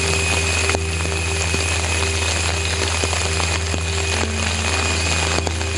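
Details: Steady electrical hum and faint music with scattered clicks and noise, with no animal voice heard.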